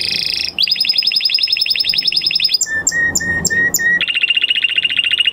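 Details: Male canary singing: a fast buzzy trill, then spaced clear whistled notes, then a lower rapid rolling trill, all loud and continuous.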